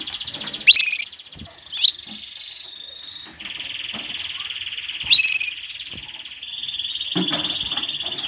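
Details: Canary song for training chicks and stimulating mating: sharp bright bursts followed by long, steady, buzzy rolling trills at changing pitch levels, another loud sharp burst, and a lower trill at the end.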